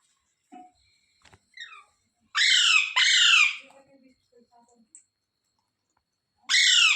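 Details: Ringneck or rose-ringed parakeet indoors, soft mumbling and small chirps, then two loud downward-curving harsh squawks back to back and another at the end.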